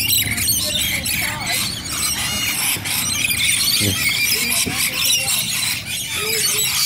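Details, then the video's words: A crowd of rainbow lorikeets in Bonnyrigg keeps up a constant overlapping chorus of piercing squeals and rapid chatter, loud and unbroken throughout, with a soft low background hum. "Rainbow Lorikeet Party"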